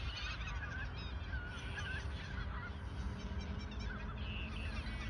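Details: Geese in autumn 2022 at the Ochsenmoor nature reserve, a few days before migrating south: a dense chorus of overlapping honking calls from many birds, with strong low wind rumble throughout.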